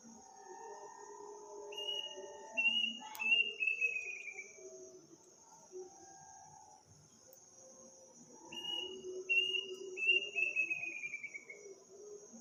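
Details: Strange, eerie bird call in a village at midnight on Takbiran night. There are two bursts about six seconds apart. Each is a quick stepped series of whistles falling in pitch and speeding up. A constant high insect whine sounds throughout.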